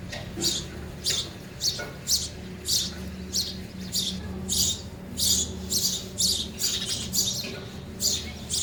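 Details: Feeding sparrows at a feeder keep up a steady series of high chirps, one or two per second, above a constant low hum.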